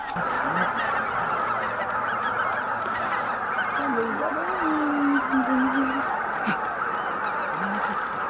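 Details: Greater white-fronted geese, an estimated 15,000 birds, coming in to their evening roost at Miyajima Marsh, Bibai, on 11 April 2016 between 18:00 and 18:30. A dense, unbroken chorus of overlapping high yelping honks, with a few lower drawn-out notes heard through it.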